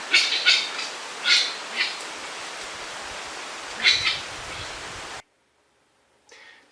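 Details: Grey-winged trumpeter, locally called Waracambra and kept domesticated as a watchdog in Suriname/French Guiana, gives its alarm call: harsh, hissing bursts, about five in four seconds, over steady background hiss ending in silence.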